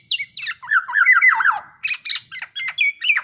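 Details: Tame Black-naped oriole in full voice, giving a short varied phrase of fluty, swooping whistles that drop in pitch, followed by several nasal, buzzy notes at irregular intervals.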